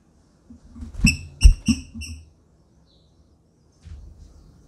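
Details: A captive female green-winged saltator, calling and soliciting mating, gives three quick, sharp, ringing chirps in under a second, over low thumps and background rumble.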